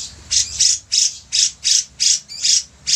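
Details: Grey-cheeked bulbul in active song for master training: broad, grating squawks repeated roughly every half second in an even rhythm.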